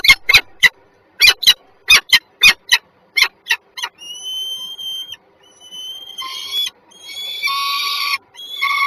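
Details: Peregrine falcons on a small roof in Żerań, Warsaw, Poland, in January 2023: a fast series of harsh, clipped cackling notes, then long, strained whining wails that rise and waver, some rough and buzzy.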